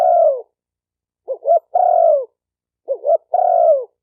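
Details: Cooing of a spotted dove, used to stimulate males and females. A long descending coo, a pause, then two phrases of a quick twin note followed by a sustained, gently falling coo, on a clean background.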